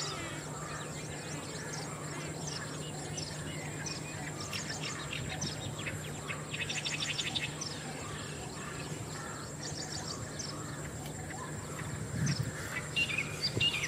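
Green bee-eater giving short bursts of rapid, trilled chirps, repeated every couple of seconds over a steady low hum and a constant high buzz.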